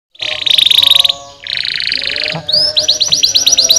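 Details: Domestic canary song meant to stimulate lazy canaries to sing: loud, dense buzzing rolls held about a second each, then a fast series of bright repeated upslurred whistles.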